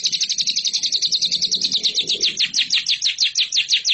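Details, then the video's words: Lovebird song used as a training recording for competition birds: a rapid, steady chatter of harsh buzzy notes, about eight per second for four seconds, sliding slightly lower midway. "MASTERAN LOVEBIRD"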